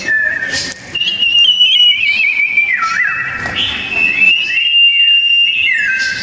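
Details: Sooty-headed bulbul in a fierce duel gives loud, dense whistled phrases, with rising slurs, a twisting low dip midway, and overlapping higher notes from a second singer near the end.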